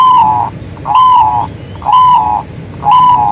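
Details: A local Zebra dove sings for luring other doves to answer: steady, even coos repeated roughly every second, each held about half a second with a bright overtone, against low rumbling background noise.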